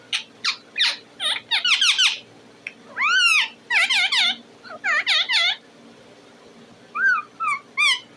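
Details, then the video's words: Talking parrot producing a rapid, varied series of chirps, squawks and swooping arched notes in bursts, then softer clipped rising notes near the end, indoors against a faint steady hum. "talking parrot bird"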